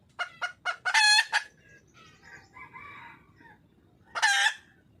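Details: Red junglefowl hen, wild, calling out for a male: three quick clipped notes leading to a loud grating cackle, a stretch of soft nasal murmuring, then one more harsh, strong burst.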